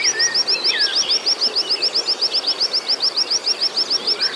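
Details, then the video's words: Oriental white-eye song played to provoke and stir up a caged bird: rapid, regular series of high thin whistled downslurred notes, about three per second, with a few lower chirps in the background. "pancingan pleci, terapi pleci ampuh membangkitkan emosi"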